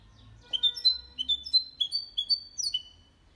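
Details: Goldfinch × canary hybrid singing, used to stimulate males to sing and to teach young birds: a run of bright, clear whistled notes, each sliding up or down, delivered in quick succession over about two and a half seconds.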